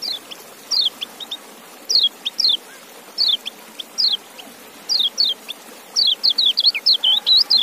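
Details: Kecial white-eye calling with evenly spaced pairs of sharp, high downslurred whistles, speeding up near the end into a rapid chattering series of thin notes.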